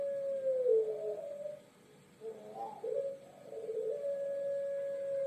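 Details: Quiet Pelung dove long call: a held low tone, a brief pause, then wobbling notes that settle into another sustained hum, with faint steady background hiss.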